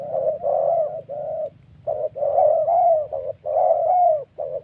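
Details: In the wild Central Highlands of Vietnam, a spotted dove tied to ground-decoy trapping pours out "thổ" style coos: long mellow hoots alternating with shorter notes in quick, nearly unbroken sequence.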